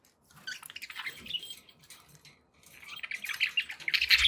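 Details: Pet budgies warble in two busy bursts of rapid, scratchy chattering, separated by a short lull, growing louder toward the close.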